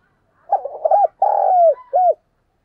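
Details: Spotted dove used as a decoy, calling in a gáy gọi phrase: a few quick broken hoots, then a long steady coo that falls at the end and a short closing hoot.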